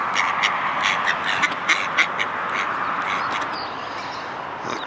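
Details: Ducks crowding in to be fed, Friday 17 February 2012: a run of harsh, evenly spaced quacks over the first two and a half seconds, then fading, against steady background hiss.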